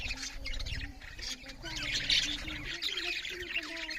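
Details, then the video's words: Feeding budgerigars give soft, dense, twittering chirps, partly masked by a low hum and faint tonal background sounds. "Beautiful Budgerigars parrots Chariping loud with Something Budgerigars Eating"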